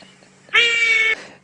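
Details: Trumpeter hornbill call played as an example on a misty dawn safari drive: one drawn-out, nasal wail of about half a second, steady in pitch and eerily like a crying baby, over a faint low hum.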